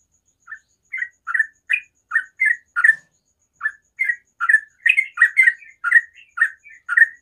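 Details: Sooty-headed bulbul in the morning, giving a steady series of short chirpy notes, starting sparse and building into faster clusters, with a faint constant tone in the background.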